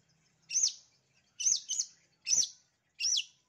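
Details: Long-tailed shrike master song meant to trigger other shrikes to sing. Four loud, high arched chirps, the second a rapid double note, each spaced under a second apart in a quiet setting.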